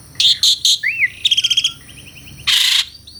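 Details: Asian pied starling (jalak suren) mixing harsh rasping bursts, a looping whistle, a rapid rattled trill and a long loud grating note in a lively song.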